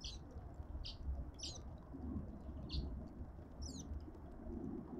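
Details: At a garden feeder in suburban Pretoria, South Africa, cut-throat finches utter brief, bright, high-pitched chirps roughly every half second to second, against constant low-frequency hum.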